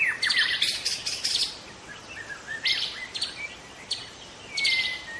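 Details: Forest-dwelling young wild White-rumped shama mixing harsh, scratchy bursts with sweet slurred whistles, ending in a drawn-out falling whistle; phrases arrive in clusters separated by brief gaps.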